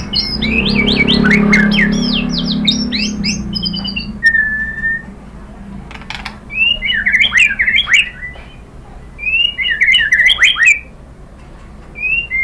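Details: White-rumped shama song used to provoke captive birds into singing: bright whistled phrases of varied, sweeping notes, a loud burst first, then shorter rising and falling clusters after pauses, over a low steady hum.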